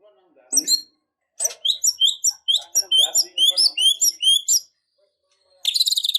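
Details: White-rumped shama in an emotional, fighting mood, delivering a chatty, full-fill song: a low scratchy note, then a pause, then a fast run of high, sharp whistled notes and slurs, and a closing buzzy rasping burst.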